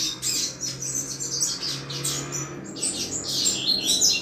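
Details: Double-collared seedeater in 'chuva' song, a style played to excite other males: rapid high chips and warbling phrases over a steady low electrical hum, louder toward the end.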